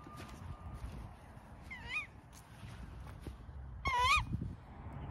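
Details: Captive tawny owl calling after flying exercise, noisy because it has not yet been fed and wants food: two short rising-falling screechy calls, near 2 and 4 seconds, over a low background rumble.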